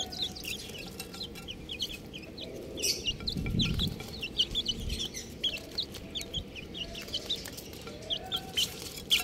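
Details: Many domestic chicks (Gallus gallus domesticus) peep together in a dense chorus of short, high, downslurred cheeps several times a second, over a low rumbling background.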